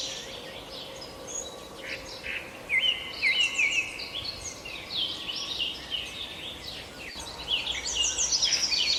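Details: Several birds chirp together in a busy chorus: short high chirps, quick downward slurs, and a rapid trill that repeats near the middle and again at the end. A faint steady low hum runs underneath.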